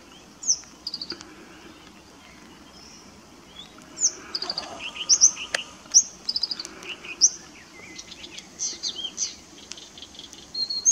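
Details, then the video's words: Extended singing by a Blyth's reed warbler, RSPB Middleton Lakes, 18 June 2021: high whistled and chirped notes in short varied phrases, some repeated, separated by short gaps, with faint lower bird notes and light background hiss. "Blyth's Reed Warbler"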